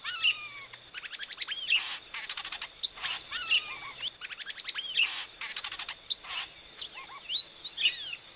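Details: Epaulet oriole (inhapim) repeating curled whistled phrases every second or so, interleaved with rapid clicking trills and scratchy bursts, against a constant high-pitched whine.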